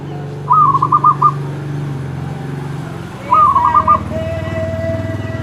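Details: Champion zebra dove in continuous song, giving two rolling, bubbling coo phrases about three seconds apart, each a quick run of five or six notes, with a steady low hum and rumble behind.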